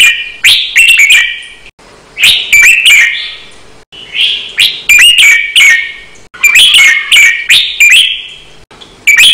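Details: Red-whiskered bulbul singing a training song for cage birds in the Thai counted-phrase style, doubled and fast. Loud, distorted, bubbly whistled phrases come in short bursts separated by brief pauses, each burst holding several quick warbled notes.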